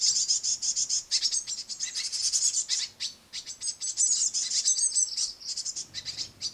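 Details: Great tit nestlings begging loudly as a harried parent feeds them crushed madeleines at a window sill bird table: continuous high, hissing, chattering calls pulsing in rapid waves.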